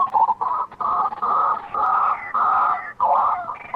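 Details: White-breasted waterhen giving loud, harsh, drawn-out croaking phrases, each lasting about half a second, in an uneven sequence.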